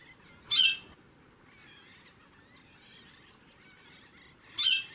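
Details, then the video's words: Female white-bellied seedeater calling: two loud, harsh, buzzy calls about four seconds apart, with a faint steady high tone and soft background between them. "Piado de Fêmea de Chorão + Macho cantando no fundo"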